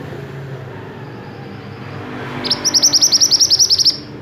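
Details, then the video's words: Energetically singing Silver-eye, a recording meant to train other songbirds: after a quiet start comes one quick burst of about twelve sharp, high, evenly spaced chirps over a second and a half, over a low traffic-like rumble. "burung mantenan gacor"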